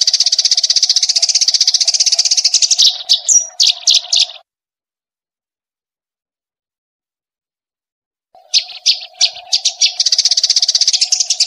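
A white-rumped shama master song mix: dense, rapid high chattering and buzzy trills with quick sharp notes over a low steady hum, broken by a four-second silence.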